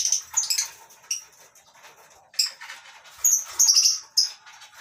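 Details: Morning in a colony aviary of lovebirds at a breeding farm, masked and Fischer's lovebirds among them. Scattered thin, high squeaky chirps and short shrill notes sound over a faint rustling background.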